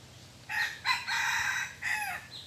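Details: Red junglefowl crowing in a forest during decoy luring of wild birds: a short opening note, then a long, harsh, drawn-out middle and a falling final syllable, all within about two seconds, over faint background hiss.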